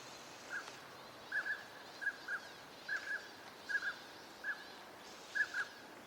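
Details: Northern pintail at Junsai-ike Ryokuchi park, Chiba, Japan, recorded December 2025 where the species winters: short clear whistled notes, mostly in doubled pairs, repeated about every three-quarters of a second over a quiet background hiss.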